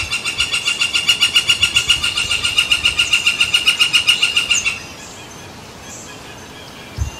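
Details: A woodpecker calling over San Francisco Bay on July 18, 2023, as a barge crosses, repeats strong, ringing notes at an even pace of about four per second for nearly five seconds. After it breaks off, only soft background hum remains, ending in a single low knock.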